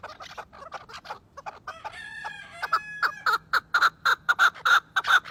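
Chukar partridge giving a rapid series of harsh, clucking chuk notes that grow louder and more regular.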